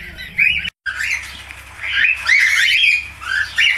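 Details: Falk-type budgerigar giving a chattering warble of squeaky, rising and falling notes, a short dropout near the start, then a busy run of scratchy trills and buzzy chirps.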